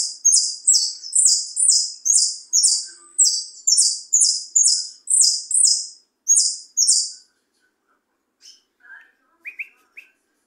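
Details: Goldfinch (jilguero) song: a rapid run of about thirteen loud, high, buzzy notes repeated evenly, followed by a few softer short chirps after a pause.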